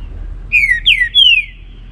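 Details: Morning song of a trinca-ferro (green-winged saltator) in baruc style: a phrase of three rich whistles, each falling in pitch, the second sharply accented and the third drawn out, with faint low rumble behind.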